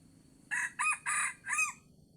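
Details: Wild red junglefowl lured with a decoy at the end of the fasting month, giving a four-part crow: short harsh syllables with a falling hoarse ending, over low rural background noise.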